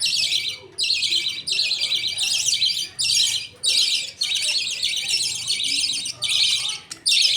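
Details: Pet budgerigars in a colony at feeding time: the father feeds millet paste to two chicks while the mother watches and others wait. Harsh, buzzy bursts repeat roughly every second, separated by short pauses.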